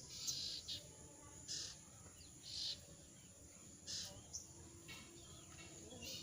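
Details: Moulting jongkangan with a hoarse voice that cannot sing in full: rough, breathy, buzzy bursts sound roughly once a second, some doubled, with a constant low hum throughout.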